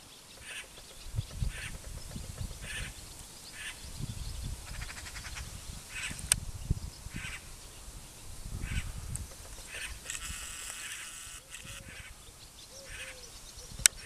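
Great spotted cuckoo giving harsh, grating notes repeated about once a second, with gusty low rumbles of wind and a few faint chirps beneath.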